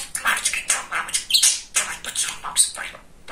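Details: Very chatty male pet budgerigar rattles off rapid scratchy imitated syllables mixed with tiny high squeaks, continuous over a few seconds indoors.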